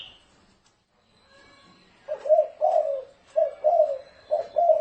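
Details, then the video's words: Spotted dove 'thổ rền' call for use as a dove decoy: near-silence at first, then from about two seconds a run of low, rolling coos, with faint higher chirping behind. "Tiếng chim cu gáy thổ rền mới hay âm thanh to rõ ràng ko tạp âm dùng kích bổi hiệu quả cực cao"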